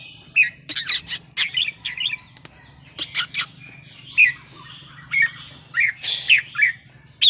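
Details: Red-whiskered bulbul with wild-style song: short whistled notes mixed with harsh broadband chatters, phrases spaced about every half second, a low hum in the background.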